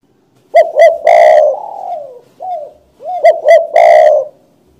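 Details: Spotted dove singing: two loud cooing phrases, each two short rising-falling coos followed by a longer, rolling, harsher coo that trails off. Between the phrases, softer descending coo notes. Quiet background.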